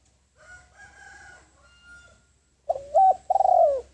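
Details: Lure spotted dove calling in wild doves, its loud phrase arriving after a faint distant warbling bird: a clipped note, a level double coo and a drawn-out, fluttering coo falling in pitch.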